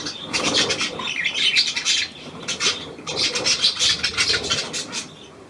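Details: Tame pied budgerigar of the Australian type, new to its home, dated 17 February 2023, chattering in two long bursts of quick scratchy chirps and squawks with a short pause between.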